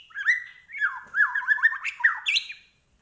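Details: Medan-type white-rumped shama with a full imitative repertoire: a brief varied phrase of lower slurred whistles and warbles rising to a final high note.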